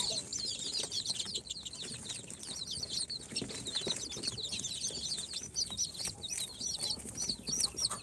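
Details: Day-four chicks from an incubator, Sultan, Golden Sebright, Cochin and booted breeds, chirp in a crowded chorus of thin, high, repeated peeps, with scratching and rustling beneath.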